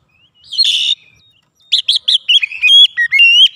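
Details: Agitated oriental magpie-robin song used to provoke other birds: a short buzzy rasping burst, a pause, then a quick series of clear whistled notes with bouncing pitch jumps, rising and falling.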